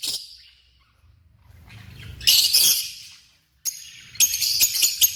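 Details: Shrill, grating screeches from African lovebirds, a drawn-out burst followed after a brief pause by a rapid string of sharp, high calls.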